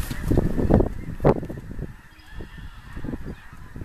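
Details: A large flock of more than 10000 snow geese near a big lake, giving a steady wash of overlapping nasal honks, loudest in the first second and a half, then thinner, with low rumbling thumps underneath.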